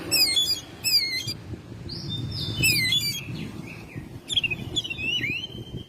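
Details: Oriental magpie-robin kept at home, singing actively in May: rasping harmonic bursts, then smooth whistles and sliding, rising and falling notes, over low background noise.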